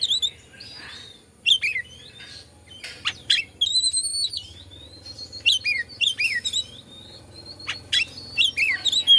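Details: White-rumped shama singing to rile up other shamas: clear whistled slides, a long level whistle, sharp clicks and sweeping notes in bursts, with a steady low hum behind.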